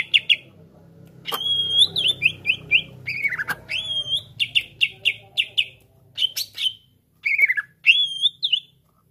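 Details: Greater green leafbird, full varied song meant to spark other birds into singing; clear whistled slides, short chip series and bright rising notes, with brief gaps between phrases.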